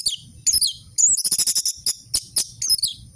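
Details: Orange-headed thrush song used as a lure to get silent captive birds singing: a rapid run of sharp, high chirps and slurred notes in short bursts, some buzzy, separated by brief pauses, with faint low rustling underneath.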